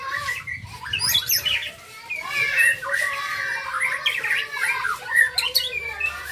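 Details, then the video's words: Young white-rumped shama kept as a contest bird: a varied, chattering song of short whistled and harsh squawky notes in uneven bursts, with faint low background noise. "Murai batu gacor pastol"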